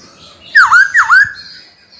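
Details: White-cheeked laughingthrush kept as a cage bird, singing to call out a rival. It gives two loud, V-shaped whistled notes in quick succession, each falling and then rising, against faint background noise.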